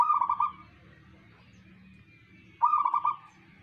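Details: Local zebra dove singing: a pair of short, rolling coo bursts, each a fast series of soft pulses, separated by about two seconds of quieter background.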